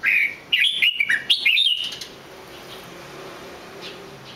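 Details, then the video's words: Single red-whiskered bulbul phrase: a quick sequence of clear, bouncing whistles lasting just over a second, followed by quiet with faint background hum. "chào mào hót cực hay"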